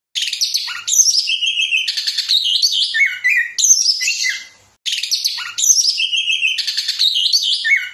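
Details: Orange-headed thrush (Geokichla citrina) pours out dense, fast bursts of varied high notes: sharp whistles, trills and rattling phrases run together, the same sequence repeating after a brief gap; used as a training master song.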